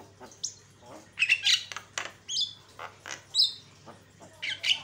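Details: Javan myna song played as a lure to rile other mynas: scattered harsh rasps alternating with short high whistles and clicks, irregular bursts over a faint low hum.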